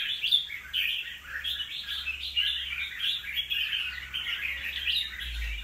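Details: Chattering song of a wild-caught red-whiskered bulbul, two moults old: a steady stream of quick, scratchy whistles and chirps, with faint low background rumble.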